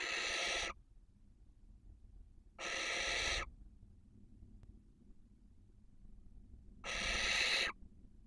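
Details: Barn owls at a nest webcam in Cabañeros National Park, Spain, in the 2023 breeding season, with a toad present. Three harsh, breathy hissing bursts, each under a second long, come two to four seconds apart over a low background hum.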